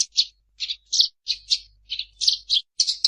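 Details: Eurasian tree sparrow in a fighting song: a series of separate, sharp, high chirps and short squeaky notes, spaced irregularly a few tenths of a second apart. The recording is clean and quiet between notes.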